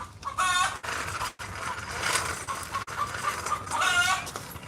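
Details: A chicken next door, near a quail-breeding neighbour, gives two loud, harsh, drawn-out squawks, one near the start and one near the end, with quieter background noise and faint voices between.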